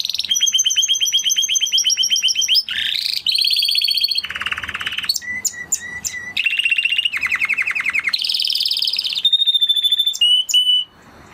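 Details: Spanish Timbrado canary, the breed called closest to the wild canary, singing varied tours: fast rattling trills, lower rolling buzzes, repeated spaced chirps and whistled notes, changing pattern every second or two.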